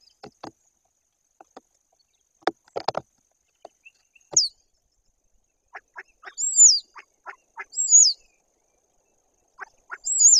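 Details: A common starling at a white-tailed eagle nest, treating the tube-hidden camera as a possible nest site, sings loud, high, slurred whistles that rise then drop, roughly every two seconds, mixed with dry clicks and rattling ticks.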